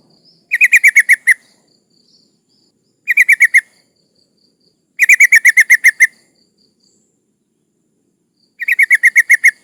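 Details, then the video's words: Female yellow-vented bulbul in breeding condition calls males, used to lure rivals: four separate bursts of rapid, evenly spaced chattering notes, each lasting about half a second to a second, with quiet gaps between. "Suara burung trucuk gacor Memanggil lawan lawan pancingan"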